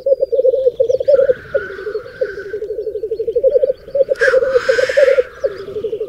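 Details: Lekking black grouse on a raised bog in the Berezinsky Biosphere Reserve, where up to 30 males and 20 females gather: steady low burbling rolls broken by short pauses, with a loud hissing whoosh around the fourth second.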